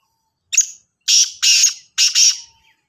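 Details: Kala teetar, the black francolin, utters a harsh four-part call: a thin first note followed by three loud, scratchy, buzzy notes in quick, evenly spaced succession, with no other sounds.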